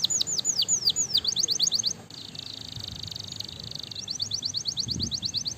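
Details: Canary song used to stimulate other canaries: rapid trills of high descending whistled notes, then a sustained buzzy rattle, then fast repeated chips resuming; bright and continuous over a faint low background hum.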